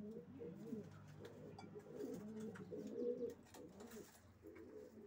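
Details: Racing pigeons cooing, several birds overlapping in low, rolling, throaty coos that swell and fade continuously, with faint clicks and shuffling in the background.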